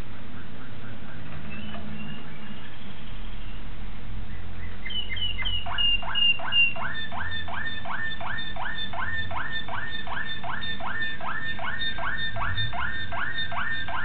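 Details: Young Malinois Waterslager canary, 2009, starting with soft scattered notes and bright slurs, then settling into a long, regular roll of rising notes, nearly three per second.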